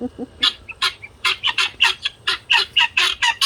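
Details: Ten-week-old pearl guineafowl, a home-raised flock free ranging for an extended time for the first time, give a harsh, rasping alarm chorus. Loud broken cackles repeat rapidly, about two a second, overlapping and uneven in rhythm.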